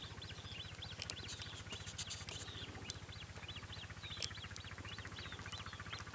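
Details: Black-winged stilt giving a steady series of short, high, yelping notes, about four per second, above a loud continuous low mechanical hum.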